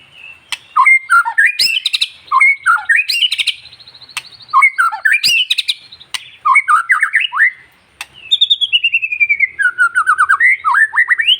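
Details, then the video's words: Long-tailed white-rumped shama song played to rouse and stimulate other shamas into singing: loud, rich run of varied whistled phrases, rising and falling notes with sharp clicks between, ending in a long descending series of repeated chirps. "MENINGKATKAN EMOSI BURUNG MURAI Dengan Suara murai batu ekor panjang"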